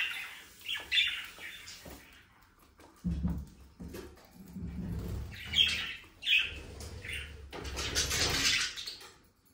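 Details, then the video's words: Budgerigars giving scratchy chirps and squawks between pauses, along with soft low thumps and rustling that may be wing flaps or movement nearby. "Sonidos de periquitos Australianos"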